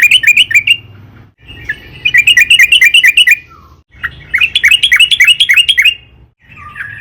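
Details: Long, vigorous yellow-vented bulbul song meant to provoke trucukan to sing: three runs of rapid bubbling chirps, each lasting roughly a second or two, with a faint low background hum.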